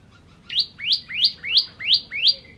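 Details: Ciblek kristal, or Bar-winged prinia, repeating six loud, rising sweeping notes roughly every third of a second, in song meant for training cage birds.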